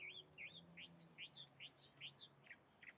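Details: Chalk-browed mockingbird singing: a run of clear, looping whistled notes, each rising then falling, repeated about every half second, ending in two short buzzy notes, with a low steady hum underneath.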